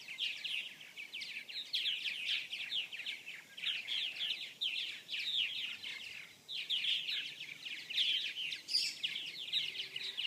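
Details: Purple martin (Progne subis) colony at gourds and houses in South Florida, 2014: many birds chatter nonstop, overlapping in fast, liquid, gurgling chirps and creaky notes, with only brief lulls.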